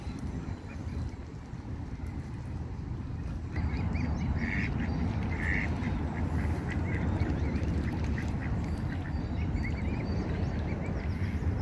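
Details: Ducks quacking on a pond, a dense run of rapid, harsh quacks repeating several times a second and growing louder after the first few seconds, over a steady low rumbling background.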